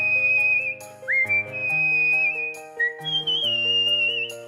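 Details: Whistling the melody of Let It Go, a cockatiel gives held high tones with a quick upward slide and a later jump to a higher note, with music playing throughout.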